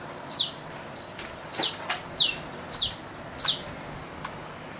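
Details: Sunbird with a strange song like a chick: about six piercing, high, downward-sliding chirps at uneven intervals, plus a faint click or two in a quiet setting.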